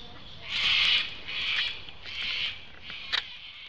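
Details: Cockatoos on a back deck in July 2008 give three harsh, raspy screeches, each about half a second long and spaced under a second apart, then a brief sharp note.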